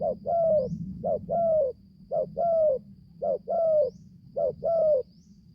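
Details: On its first forest training trip, a young spotted dove that has only just started calling repeats a mellow double coo, brief note plus drawn-out note, about once a second over low hum.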